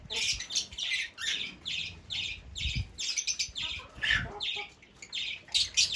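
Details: Fischer's lovebird giving a steady series of shrill, high chirps, about two each second, with rough buzzy edges and some faint low thumps underneath.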